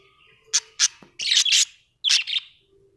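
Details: Pet budgerigars at home giving a few sharp, scratchy chirps and a longer buzzy warble, separated by short pauses, over a faint low hum.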